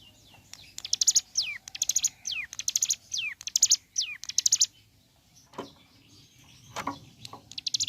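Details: Morning song of a ciblek gunung (hill prinia). Quick buzzy chatters alternate with downward-sliding whistles for four seconds. A pause follows, with a few clicks and knocks, then a brief restart of the chatter.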